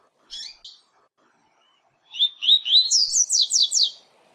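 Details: Double-collared seedeater singing the Tui Tui Zel Zel Fibra style for training young birds. Two short buzzy notes, a quiet gap, then a run of rising whistles that accelerates into a series of rapid high downslurred sweeps.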